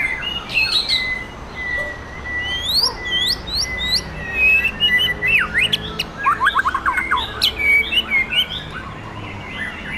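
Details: Champion white-rumped shama of Sumatran forest origin, in a Bengkulu contest ring: long steady whistles, bright upswept notes and a fast stuttering burst near the middle, amid a busy chorus of other singers.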